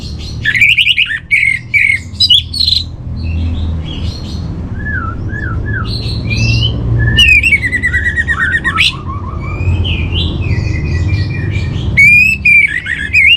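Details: Orange-headed thrush master song for home training: a varied sequence of whistled slurs, buzzy trills and sudden loud harsh bursts, separated by short gaps, over a persistent low hum.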